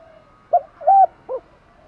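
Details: Spotted dove calling to challenge and to attract hens: three brief soft coos, the middle one longest and steady. A faint humming background sits underneath.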